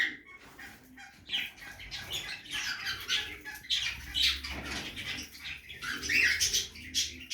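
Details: Feeding budgerigars in a backyard aviary make continuous raspy chattering and squawks from several birds at once, with a faint low hum throughout.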